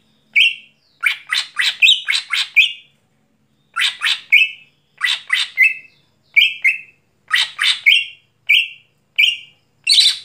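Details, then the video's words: Greater green leafbird in lively night song: repeated clusters of three to five quick harsh chips, each cluster closing on a short pure whistle, clusters spaced about a second apart. "Cucak Hijau Gacor Malam Hari"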